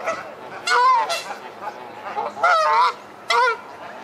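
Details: Geese fighting aggressively, flying at one another with feathers flying: loud harsh honks in short bursts, a few per second, with wavering, strained tones and gaps of quieter background between outbursts.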